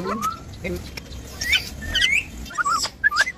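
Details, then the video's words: Parrot talking: a string of short whistled notes and chirps, some sliding upward, others falling, scattered over three seconds with brief pauses, over a low steady background rumble. "parrot talking"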